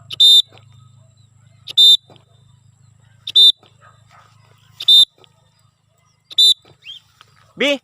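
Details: Cockatiel in free flight for the first time, repeating a loud, grating screech about every one and a half seconds, five times in a row, ending on a sliding rising note, with a faint low hum behind.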